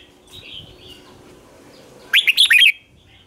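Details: Red-whiskered bulbul lure song played to draw in wild birds, meant as a competitive fighting song. A single quick burst of four or five loud, warbled, rising-and-falling notes comes after two quiet seconds, with faint thin whistles earlier.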